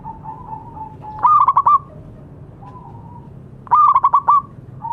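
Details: Two loud, rapidly pulsed coo phrases from a local zebra dove, recorded as tutor song for doves that have gone silent, with quiet, steady cooing in the pauses.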